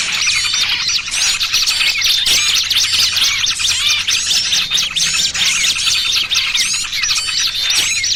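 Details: Lure sound for trapping small birds, mixing trucukan with 'pinched' small-bird cries: sharp high chips and thin whistles tumbling together in fast, irregular bursts over a faint low drone.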